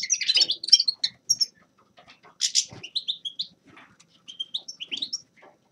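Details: Grey-crowned goldfinch giving short bursts of bright, twittering chirps and thin whistled notes, broken by brief silent gaps.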